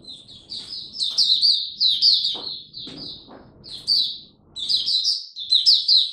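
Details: Mata puteh (oriental white-eye) in a cage performing its 'raja' song: bursts of bright, high chattering warbles separated by short gaps, with a few soft clicks or knocks in the background.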